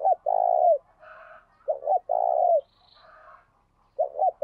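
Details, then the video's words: Spotted dove kept as a decoy, cooing vigorously in 'gáy sung' style while being trained with kích bổi: repeated phrases of a quick double note and a sustained deep coo, about every two seconds. Softer raspy higher sounds fill the gaps. "Chim Cu Mồi Gáy Sung"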